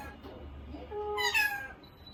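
An Indian ringneck parakeet gives a single drawn-out, nasal, meow-like utterance that rises then falls, under a second long, over a low background hum.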